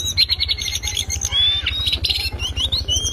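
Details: Loud ngriwik song of a lesser shortwing, made as a tutoring master for songbirds: a quick run of repeated high chips, then whistled rising and falling slides and twittering notes, with a rhythmic low throbbing hum beneath.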